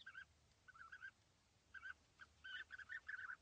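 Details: A pair of European bee-eaters perched together in small trees at a quarry, 80 metres away, on a very sunny July morning. Short rolling, liquid calls come in clusters, with gaps between bursts and a quieter call closing the run.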